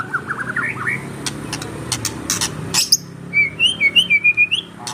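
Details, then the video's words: White-rumped shama of the dokor type singing actively: soft warbled notes, then sharp clicks, then a run of about eight loud, quick whistled notes rising and falling. "Burung Murai batu dokor Gacor"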